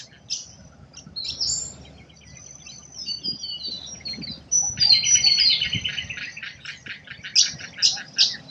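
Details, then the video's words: Australian forest birdsong: a busy mix of high twittering, clipped whistles and a steady buzzy trill in the second half, with separate birds calling over one another against faint low rumble. "Australian nature bird sounds | forest birdsong"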